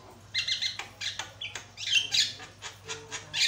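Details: Loud, varied Javan myna song used as a lure recording: a harsh, chattering run of squawks and grating notes in quick, uneven bursts, with a faint low hum underneath.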